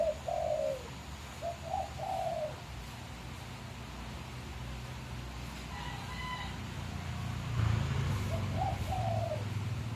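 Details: A young green junglefowl-hybrid bekisar rooster from Magelang, which began crowing only about three days earlier, gives short, hoarse, wavering crows as it learns to crow.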